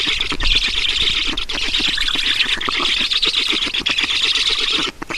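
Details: In Estonia on 11 June 2019, mid-afternoon, black storks are fed at their nest: steady shrill wheezing squeals overlap in a rough, unbroken chatter, with a brief dip near the end.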